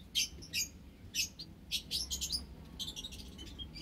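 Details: Caged white Java sparrows sharing an aviary with several munias, recorded March 21, 2021; short bright chips, scattered at first, then a quick burst of overlapping high tweets, with a faint low hum beneath.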